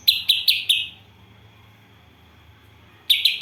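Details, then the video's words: Greater green leafbird singing gereja and kapas tembak isian. Four strident, chirpy notes spaced about a quarter second apart, a two-second silence, then the same chirping resumes. "Cucak ijo isian Gereja vs Kapas Tembak"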